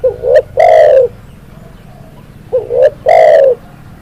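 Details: Repeated cooing of a spotted dove: two phrases, each a quick rising double note and a long, throaty, gently descending coo.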